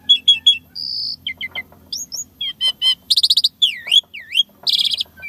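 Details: Active Asian pied starling with unusual 'isian tembakan' phrases: three quick chips, a steady whistled note, brief twittering, rising slurs, a buzzy rattling burst, two deep V-shaped swoops and a final harsh rattle.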